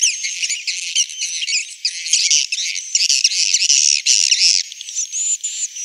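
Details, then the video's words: Swiftlets calling as they roost, a sound used to draw them into a three-storey roost: a continuous, shrill, squeaky twittering with wavering high notes and a few thin sustained whistles. "Suara Inap Walet"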